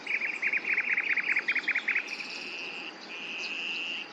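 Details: Common nightingale song: a quick run of repeated chattering notes for two seconds, then long steady whistled tones, one faint and one louder.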